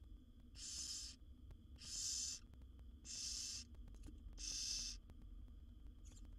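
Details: Wild barn owl chicks in a monitored nest box, seven young fed by their mother, make four loud scratchy hissing rasps at even intervals, followed by fainter, softer hisses.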